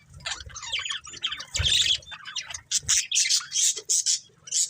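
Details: Breeding pair of budgerigars squawking and chirping: harsh raspy bursts first, then loud bright whistled chirps in quick separate pulses, with a low thump or two.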